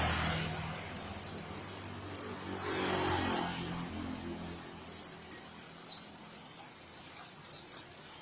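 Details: Oriental white-eye in rough ngriwik song, rapid high chirps sliding downward, bunched in quick volleys that grow denser midway, with faint low background noise.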